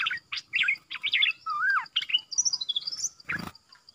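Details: Decoy bulbul in a cage calling wild birds in, 13 April 2021. Rapid chattering whistles and a downslurred note are followed by a high thin trill, then a sharp rustling clap. A faint steady hum runs underneath.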